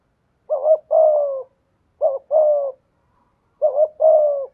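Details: Spotted dove used as a decoy, in the 'giọng thổ' voice style. Three identical mellow phrases are spaced about 1.5 seconds apart. Each opens with a short double-humped note and ends in a longer, flat, slightly descending coo. No other sounds are heard.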